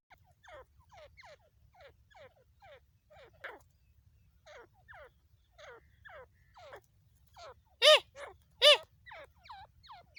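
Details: Hunting call of a female partridge from Pakistan: a series of quiet, descending, slurred notes at an uneven pace, broken by two loud harsh calls near the end, over a low rumbling background.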